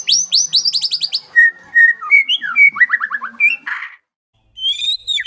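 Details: White-rumped shama (murai batu) from a training recording of real birds with fierce 'tembakan' bursts: rapid runs of high, falling whistled notes, sweet level whistles, then a descending stutter, a brief pause and a high trilled finish.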